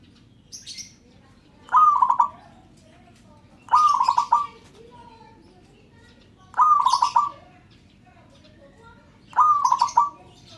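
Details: Calling local zebra dove encouraging other birds to sound off: four rolling phrases, each a higher opening note dropping into quick stuttered coos, repeated every two to three seconds, with high chirps of small birds around them.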